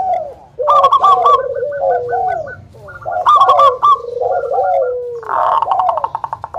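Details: Indonesian local zebra doves singing eagerly to coax other doves into song: rapid beaded trills over gliding coos, two main bursts, ending in a rough buzzy rattle.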